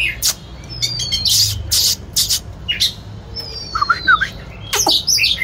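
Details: Oriental magpie-robin singing while dancing: thin whistled notes sliding downward, brief rising chirps and sharp clicking bursts scattered through a short phrase.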